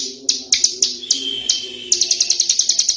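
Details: Tame ciblek gunung prinia out of its cage: scattered sharp high chirps that speed into a quick regular run of clipped notes, with a thin whistled tone and low cooing behind.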